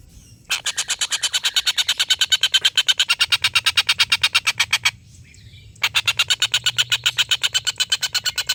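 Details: Collared kingfisher giving a long laughing call, used as a song tutor for competition birds: a rapid run of harsh, even notes about three per second, broken by a brief pause, then resuming.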